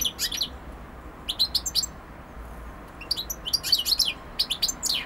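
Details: A European goldfinch sings bright, tinkling twitters in quick clusters of high, liquid notes, pausing briefly between bursts over a faint low hum.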